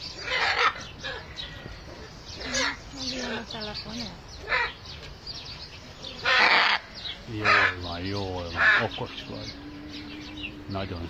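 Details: Hyacinth macaws at play: loud, harsh, broadband squawks come in short bursts at uneven intervals. Lower, harmonic, voice-like tones fill the gaps between them.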